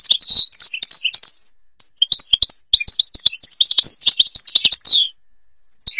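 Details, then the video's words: Goldfinch from Algeria in the Babas forest Tibrli song style: bursts of high, chattering twitters and chirps separated by short quiet gaps, ending with a long phrase of dense, jangling notes. "(canto jilguero argelia) تغريد غابة الباباس تيبرلي"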